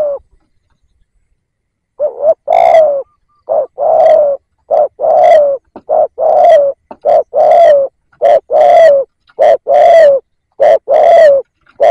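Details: Decoy spotted dove, kept to lure wild doves, gives a long run of two-part coos. Each is a brief note then a longer, slightly falling hoot, repeated about every two seconds.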